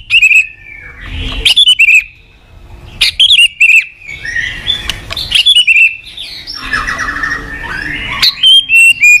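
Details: White-rumped shama kept in a cage, morning song used to lure cage birds into singing: bursts of sharp clicks and bright whistles separated by pauses, with a warbled passage near the end.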